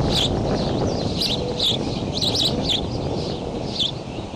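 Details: Bald eagle nest at Decorah, filmed by a nest camera on May 20 at 7:28 am while eaglets flap-hop; high, thin chirps come in short bursts over steady broadband rumble.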